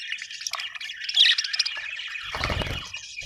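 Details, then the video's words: Happy budgies, named as Australian birds, chirp together in a continuous scratchy, twittering stream of overlapping squeaks. A loud low rumbling knock comes near the end. "happy budgies chirping sound"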